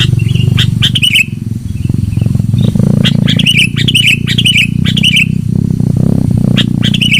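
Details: Sooty-headed bulbul singing loudly in a lure recording: short bubbly whistled phrases, each ending in a downward slur, repeat every second or so over a continuous low hum.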